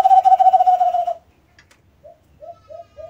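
A brown dove gives one long, steady, hollow hoot lasting about a second, then a quick run of four short, soft coos about a third of a second apart.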